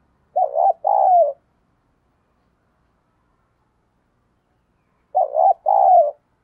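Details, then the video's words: Decoy spotted dove calling to lure others: a low two-part coo, wavering then drawn out and falling, repeated after about four seconds of silence. "Chim Cu Gáy Mồi Cây Mới Nhất Chuẩn Kích Bổi"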